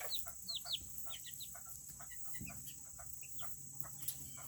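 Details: Serama chickens, the world's smallest chicken breed, in their coop on a cooler day; a flock chatters with quick, high, down-slurred peeps and short clucks tumbling over each other, over a steady high-pitched electrical whine.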